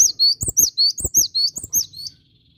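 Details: Close, loud cinereous tit song: rapid high two-part whistled notes, about ten in two seconds, slightly slowing and fading at the end, with soft low thumps underneath.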